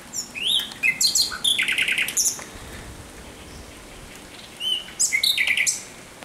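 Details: Thrush nightingale singing at night on 17 May 2023: loud bursts of rapid clicking notes and pure whistles, phrases separated by short pauses, with a softer phrase of repeated chips near the end.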